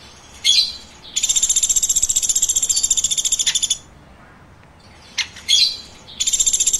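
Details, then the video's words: Woodpecker chirping in repeated bouts. A sharp squeak precedes a long, fast train of high buzzy notes lasting over two seconds. After a pause, more squeaks lead into a second rapid train. "Woodpecker Chirping"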